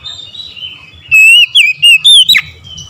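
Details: An Oriental magpie-robin sings one short, loud morning phrase of bright slurred whistles in quick pulses, rising and falling, ending in an abrupt downward note. Quiet chirps are heard before it.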